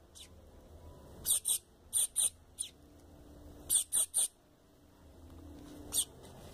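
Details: Double-collared seedeater chick begging, used to stimulate an adult bird quickly: short high squeaky calls come in pairs and triplets with pauses between them, against quiet indoor background hum.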